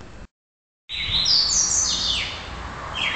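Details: Young red-crested cardinal still in juvenile plumage, very active and highly repetitive, its song being trained by its keeper: after a brief silence, loud clear whistled phrases with rising and falling slurred notes, followed by a short whistled phrase near the end.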